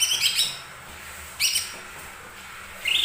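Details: Lesser green leafbird singing to provoke other birds to sing: two short bursts of high, bright chirping notes with a pause between, then a rising whistled note at the end.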